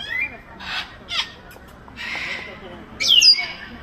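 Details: Grey parrot, or Jako, in Baku Zoo, uttering a series of rough breathy squawks spaced about half a second apart, ending in a louder grating shriek with a thin whistled overtone.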